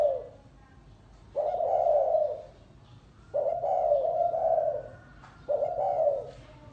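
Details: Spotted dove cooing 'gáy gù' style: four low, mellow phrases, with the middle one long and wavering, separated by gaps of about a second. Faint chirping is heard too.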